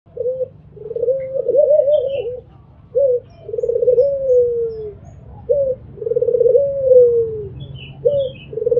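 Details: An albino Barbary dove gives repeated low, rolling coos: a short note followed by a long, drawn-out purring coo, about every three seconds.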